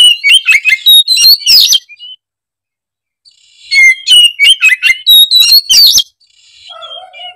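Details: Two dense bursts of rapid oriental magpie-robin chatter and whistled notes, separated by a two-second silence and ending with soft lower notes.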